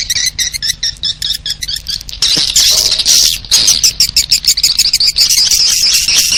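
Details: High swiftlet calls used as a lure for swiftlets, opening with spaced squeaky chirps and then swelling into a louder continuous chattering twitter.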